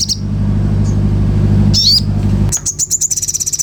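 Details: Common iora: two brief high twittering phrases, then a quick series of sharp chips running into a fast buzzy trill, against a low droning background.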